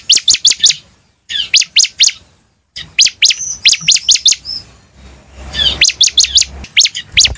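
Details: Bar-winged prinia in vigorous song, used as a lure to draw a quick response: bursts of sharp, high, rapid chirps repeated in quick runs, broken by short silent gaps.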